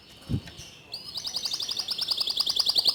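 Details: Local white canary singing: after a brief low thump, a fast rolling trill of high, even notes starts and repeats steadily to the end.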